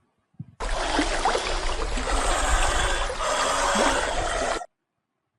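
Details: Water trickles and splashes steadily for about four seconds after a brief soft knock, then stops into silence; no animal voice is heard.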